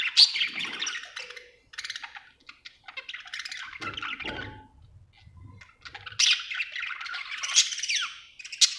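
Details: Happy pet budgerigar chirping indoors in a small room; bursts of high, scratchy warbling chatter alternate with quieter gaps and soft low thumps midway, the chatter returning loudly near the end.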